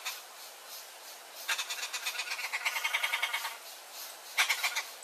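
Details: Turquoise-fronted amazon, called papagaio-verdadeiro in Brazil, feeding its chick: a two-second run of rapid, harsh rhythmic pulses, then a short final burst.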